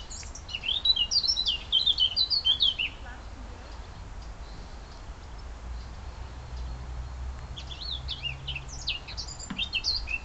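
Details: Bird twittering on the outskirts of Munich in Bavaria, Germany: short rapid phrases of high, sweet, wavering notes at the start and again near the end, separated by quiet stretches with low steady background hum.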